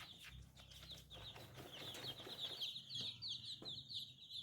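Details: Young chickens, newly hatched chicks, peeping in a dense chorus: high, short, downward-sliding cheeps crowd together almost without pause, over a faint low rumble and a few soft thuds.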